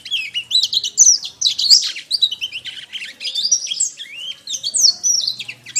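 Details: Canary singing a masteran training song: dense, fast, high-pitched warbling of rising and falling whistled slurs and chattering trills, delivered almost without pause.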